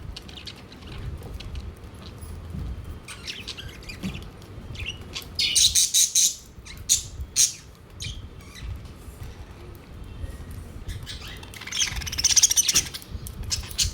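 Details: Pet budgies gather at the food plate. Quiet, sparse chirping builds into loud bursts of rapid, rasping squawks and twitters. The loudest spells are midway through and near the end.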